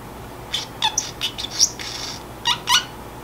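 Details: Sleepy pet Pacific parrotlet's quiet self-talk: a few raspy, noisy squawk-like syllables and thin whistled squeaks in uneven pairs, with a brief pause before a final double burst, soft steady hum in the room.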